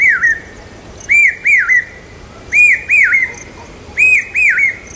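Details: Common hawk-cuckoo in Aurangabad calling loud during the monsoon, said to signal rain: loud, clear whistled notes rising then dropping, delivered in three pairs about once a second, with faint high chirps from other birds behind.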